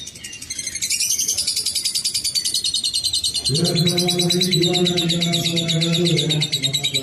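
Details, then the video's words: Lovebird chattering in the 'ngekek' style, a quick, high, buzzy trill. Midway a lower, harmonic, droning sound joins in beneath it and continues to the end. "Terapi Burung Lovebird Agar Ngekek Panjang"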